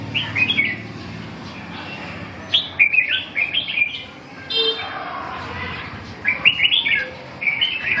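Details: Red-whiskered bulbul during song training, delivering short bright warbled phrases in bursts separated by pauses, with a low hum underneath.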